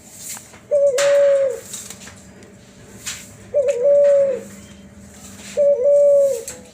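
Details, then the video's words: Cuhu Kelantan, a first-generation spotted dove and ringneck dove cross, voicing its flute-like 'suling' sound: three clean, flat, drawn-out coos, each opening with a short upward flick, spaced about two and a half seconds apart. "Cuhu Kelantan Suara Suling - F1 Spotted Dove x RND unique sound"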